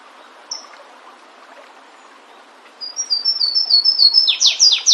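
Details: Canário-do-mato, the flavescent warbler, singing free in nature. One high note, then silence, then an accelerating chain of high thin notes that breaks into loud descending slurs, cut off mid-phrase.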